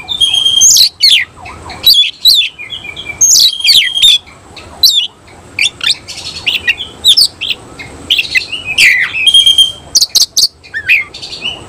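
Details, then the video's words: Oriental magpie-robin of the semi cililin type bursting into song with its tail spread, described as starting within thirty seconds; varied high whistles, sharp rising and falling sweeps and brief buzzy trills in quick bursts separated by short pauses. "Kacer langsung NEMBAK NGOBRA BUKA EKOR"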